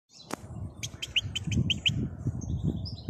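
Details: Wild European goldfinch singing outdoors: a short burst of bright, high twittering notes in quick succession, over a steady low rumble of background noise.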